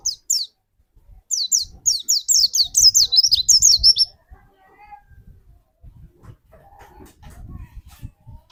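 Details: Song of a white-eye used as a lure: a few high notes, then a rapid three-second cascade of shrill descending whistles. Low rumbling knocks and soft chirps follow.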